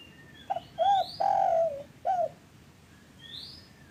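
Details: Spotted dove cooing, used as a lure to get lazy or silent caged doves calling; a short stuttered note, then a clear arched coo, a long drawn coo and a final falling one, with thin whistles of other birds and steady hiss.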